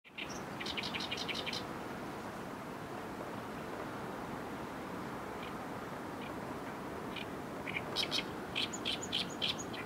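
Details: Oriental reed warblers singing by the Arakawa River waterside in downtown Tokyo, Japan; a short burst of harsh, chattering notes opens, then faint scattered chirps over steady background noise, and another loud grating phrase returns near the end.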